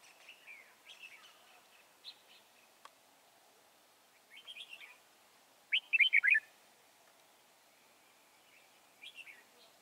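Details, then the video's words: Wild-caught red-whiskered bulbul at Chùa Hương, Vietnam, 24 March 2018, giving scattered sweet chirps and short warbles, then one loud, fast, rolling phrase midway, followed by a brief soft closing figure; one sharp click heard early. "Bẫy chào mào bổi Chùa hương chơi tít mù ngày 24/3/2018"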